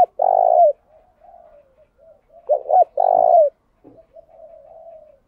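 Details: Spotted dove used to provoke rivals to sing: a long buzzy coo, softer distant coos, then a wavering double coo and another long trembling note, followed by a low thud and faint trailing coo.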